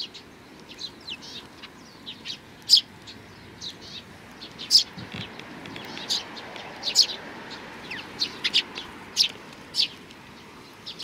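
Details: A flock of sparrows at a Tenmangu shrine, Japan, on 31 May 2019 keeps up a continuous, uneven chatter of thin high chirps and tweets, many birds calling at once with some louder notes standing out.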